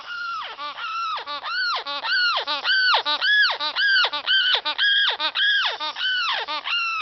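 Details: Amazon parrot hen calling in spring, a behaviour seen only in that season: a steady series of harsh, arching yelps, nearly two a second, each rising sharply and falling, fairly evenly spaced.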